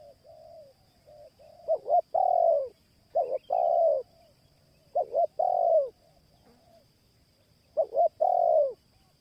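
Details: Spotted dove lure recording: soft, hollow coos at mid pitch in four bursts, each a quick stutter of short notes before a longer, falling coo, separated by quiet pauses; a faint steady high electronic whine runs throughout.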